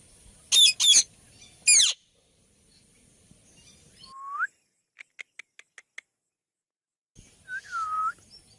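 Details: Ringneck parrot giving three loud, harsh, high screeches in quick succession. Later come a rising whistled note, a quick series of sharp clicks, and another upward-swept whistled call.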